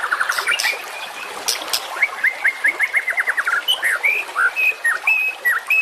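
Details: Masteran tutor recording of white-rumped shama song for fighter competition birds: opens with a fast trilled run of short notes, then a long evenly spaced series of sharp repeated notes, ending in varied clear whistles rising and dipping.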